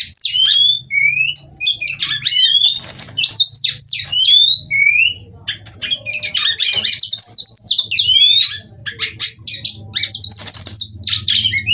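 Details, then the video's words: Female white-rumped shama in captivity singing as a stimulus for other shamas: bursts of sharp whistled notes and rapid trills separated by brief pauses, with a low hum underneath. "Kacer Betina Gacor Ngobra Bukor/Rayuan Kacer Betina Terapi Gacor Kacer Bahan"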